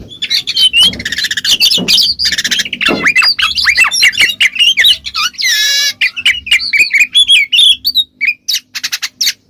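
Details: Oriental magpie-robin (kacer) singing in the loud ngeplong style, used as a lure to make a silent magpie-robin answer; a dense, fast stream of varied whistles, buzzy trills and harsh squawking notes, almost without pause.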